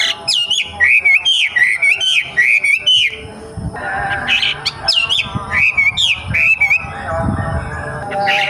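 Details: Young wambi caught wild in forest, singing quick looping whistles in a lively series, then a quieter stretch with faint background rustle before another burst of rising-falling notes.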